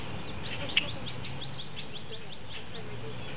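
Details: Wood duck (Aix sponsa) ducklings less than a week old, in High Park, give thin, high peeps, several a second, over a steady low rumble with a single sharp click.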